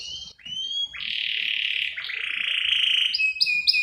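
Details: Canary in a lure and tutor recording of isian-style song, a female luring the male: quieter slurred whistles, a long sustained rolling note that dips and rises, then short bright high whistles at the end.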